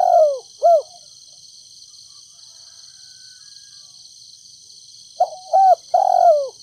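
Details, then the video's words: Decoy spotted dove in Ninh Thuận, Vietnam, calling to attract wild doves in the 'thúc gù cà lăm' style with a 'thổ đồng' voice: two falling coos, four seconds of quiet, then three further coos, one long and descending; high continuous buzz in the background. "Cu gáy kích bổi nhanh nổi THÚC GÙ CÀ LĂM chim cu gáy mồi đất ninh thuận cu gáy giọng thổ đồng"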